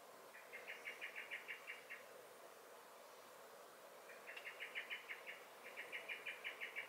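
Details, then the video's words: Garden common blackbird (Turdus merula), 23 May 2021, alarm calling in three bursts, each a rapid, even string of hard clicking chinks at about eight per second, with short pauses between bursts and faint ambient noise. "Song and Alarm Calls of the Blackbird"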